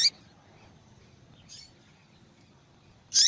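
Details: A female double-collared seedeater, whose calling is used to stir cold males into song, gives a clipped chirp at the start, a faint distant note, and a clear high buzzy chirp at the end.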